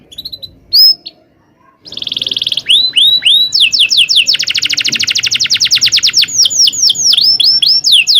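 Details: Canary singing a long rolling song for beginner canaries to copy: a few scattered high notes and a pause, then a buzzy steady roll, rising whistles, a fast even trill and repeated downslurred notes.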